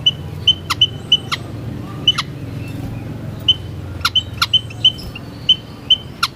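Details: Series of high, even peeps from white-headed munia, often in doubled notes about every half second, punctuated by loud dry clicks.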